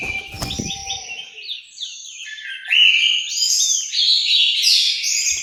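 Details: Orange-headed thrush song recorded in an aviary in Malang, East Java. A sharp click and low rumble open, followed by stepped whistled notes that build into a loud, sustained, varied phrase.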